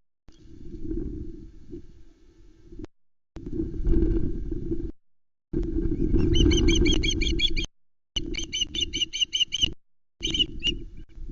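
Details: Ospreys at the Loch Arkaig nest, 19 July 2020, as a trout arrives and the bigger chick steals it: loud wind and flapping rumble first, then a rapid series of shrill, evenly repeated piping chirps.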